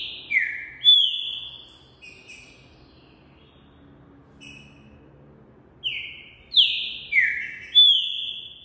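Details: Green-winged saltator, a tournament bird eager to sing, delivering loud whistled phrases: descending slurred notes near the top of its range, a burst at the start, then a quiet pause before several more strong downward-sweeping whistles.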